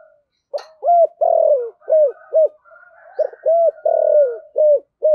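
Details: A decoy spotted dove singing in the thổ sấm voice, kept to draw in wild doves; rapid low coos alternate with longer, falling drawn-out notes in two dense bursts, over a faint steady higher tone.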